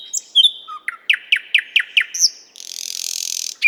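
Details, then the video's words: Nightingale song recorded in Moscow's 50th Anniversary of October park: whistled notes, then six evenly spaced descending slurs about a quarter second apart, a rising whistle and a long rapid buzzing trill. "Соловей поёт"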